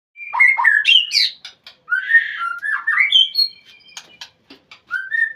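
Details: White-rumped shama calling to a rival: loud, rich whistled phrases that slur up and down, broken by short sharp clicks and chips, with brief pauses between bursts.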